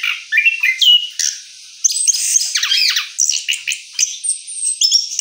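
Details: Orange-headed thrush singing its rolling post-moult song, varied high chirps and descending slurred notes in quick clusters, a brief pause near the start, then steady chattering phrases.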